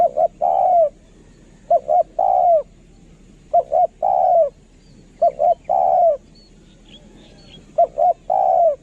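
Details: Spotted dove of a lure line singing in the kharom manner: five repetitions of double short coos leading into a drawn, falling croon, evenly paced, with faint high chirps from another bird.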